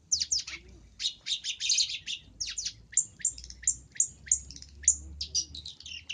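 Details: Long-tailed shrike sound for luring: a busy, varied chatter of quick scratchy notes and clipped downslurred whistles, run together almost continuously over six seconds.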